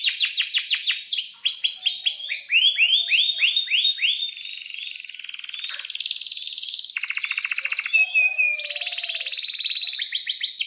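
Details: Continuous canary song with long rolls, played to make other canaries sing: rapid series of downward-sweeping whistled notes, then high buzzy trills and dry rattling rolls, changing tempo several times without pause.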